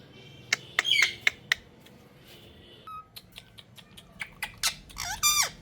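A ring-necked parakeet gives sharp clicks and squeaks, then a burst of scratchy, warbled talk-like chatter with rising and falling whistled tones, indoors.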